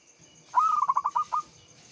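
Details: Local Javanese zebra dove lure song: a brief burst of about eight quick, stuttering cooing pulses that slow toward the end, over a quiet background.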